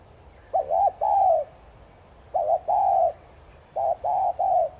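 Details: Thúc gù cooing of a spotted dove, used to prompt pet doves to start calling. Three soft, hollow phrases, each a quick doubled note and one or two drawn-out level coos, with quiet low rumble behind.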